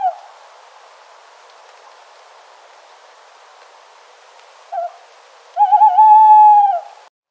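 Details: An owl in nature, heard after several seconds of quiet background hiss: a short clipped note followed by one drawn-out, even hoot with a quavering onset that ends abruptly.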